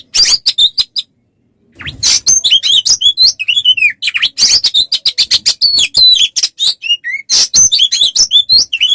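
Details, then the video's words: Oriental magpie-robin, a tutor recording for training songbirds: a loud, fast stream of varied whistles, sharp chirps and buzzy notes, with a short silent pause near the start before the rapid phrases resume. "Masteran untuk burung Kacer"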